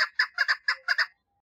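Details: A female chukar partridge calling for mating gives a quick burst of about seven harsh, chattering notes in just over a second, then falls silent.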